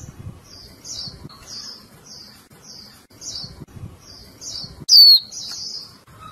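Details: Female Japanese white-eye calling the male so that he sings: a run of soft, short, high chirps repeated twice a second, then one loud, sharp, downward-sliding call near the end.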